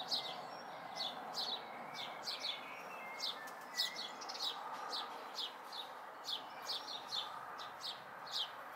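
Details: House sparrow fledglings during May 2020 chirping in an evenly spaced series of descending cheeps, about two per second, with steady low noise beneath.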